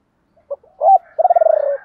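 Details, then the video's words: Spotted dove decoy calling 'ba hậu' style to draw in wild doves: a brief note, a rising coo, then a fast rolled purr sliding downward, with a faint higher tone running beneath. "Chim cu gáy mồi gáy gọi ba hậu, nhiều anh em bảo là bổ ba"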